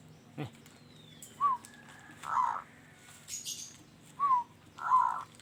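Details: Zebra dove of a local strain with a loud, harsh voice giving short low coos that alternate with brief rolling notes, two coo pairs about three seconds apart, with a faint background hum and a click.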